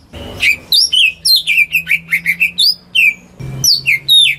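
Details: Home-kept greater green leafbird singing as a lure to make silent birds sing: a lively run of clear whistled notes, some rising and some falling, delivered in quick separate bursts with a brief pause near the middle. A faint low hum sits underneath.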